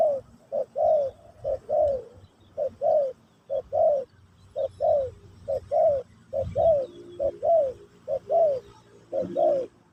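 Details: Teaching-session Spotted dove song, Pesom/Kacuk style, for a new bird: brisk repeated pairs of short low coos, the second note of each pair slightly longer and falling, over faint background hum.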